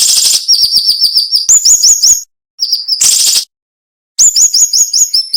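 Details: Cinnamon-bellied flowerpecker singing in the sharp 'nembak' manner prized for training cage birds: fast series of high, piercing notes, then a rising stepped run, with a harsh noisy burst and clean silent breaks between phrases.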